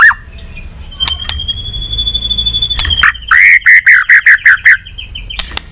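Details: White-rumped shama in training, singing competitively while flicking its tail: a long level high whistle held for about two seconds, then a quick series of about seven loud repeated downslurred notes.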